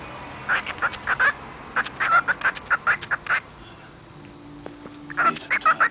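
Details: Pet female cockatiel mumbling to herself indoors: runs of short chattering notes repeated in quick bursts, a pause, then another burst, with a film's dialogue playing faintly in the background.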